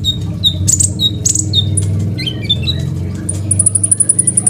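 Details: Crimson sunbird singing, a master song for training other songbirds, recorded on an Oppo A37f phone: thin, high chips and short slurred whistles, ending in a fast run of piercing notes, over a steady low rumbling background.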